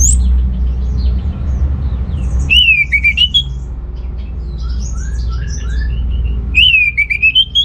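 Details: Orange-headed thrush song used to stimulate males lacking breeding drive: two loud bursts of rising whistled phrases several seconds apart, with softer varied notes between them and a low background hum throughout.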